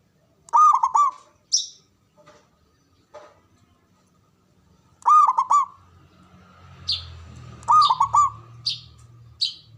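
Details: Javanese local zebra dove with a big, loud voice, kept as a lure to boost breeding drive and fighting mettle: three rolling coo bursts, mixed with sharp high chirps from another bird and a low rumble midway.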